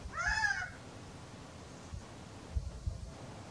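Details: Male Gambel's quail calling on a warm, sunny April afternoon: one loud, nasal, arched call lasting about half a second with rich harmonics, then quiet background with a few faint low thumps.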